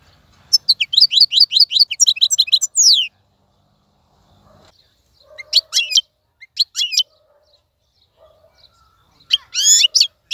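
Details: A caged, wild-caught European goldfinch gives a burst of rapid high twittering and slurred notes, then long quiet gaps broken by a few scattered chirps and a final short twittering phrase.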